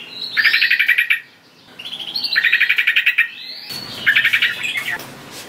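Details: Trucukan, the sooty-headed bulbul, calling to lure wild bulbuls: three harsh, fast trilled bursts about a second long, each introduced by a rising whistle, with light background hiss.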